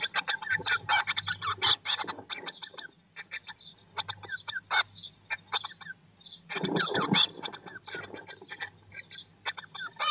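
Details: Blue tit nest box on day 19 after hatching, spring 2022: dense bursts of rapid high cheeping and chittering, pausing briefly, then resuming, over a constant low electrical hum and rustling.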